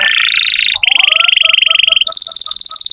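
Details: Canary song meant to coax young or silent canaries into singing: long, even, buzzy rolls of rapidly repeated notes, each tour switching abruptly to a new pitch, with soft lower chips pulsing beneath.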